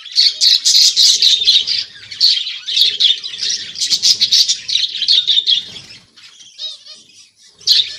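Budgerigars chatter in a dense, high warble of rapid chirps and squeaks.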